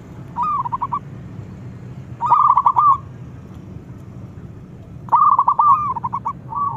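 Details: Wild local zebra dove singing in strong form, its song rousing other zebra doves: three bursts of rapid, rolling trilled notes about every two and a half seconds, with short pauses and a low background hum.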